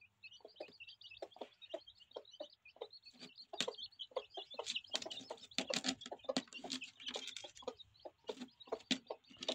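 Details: Two hens, 8 and 11 years old, still rearing chicks: steady run of low hen clucks and pecking knocks beneath a constant chorus of thin, high chick peeps.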